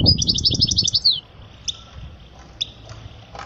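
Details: European goldfinch song for teaching young goldfinches: a quick run of high twittering notes for about a second, then a few isolated chirps, with low rumbling noise in the background.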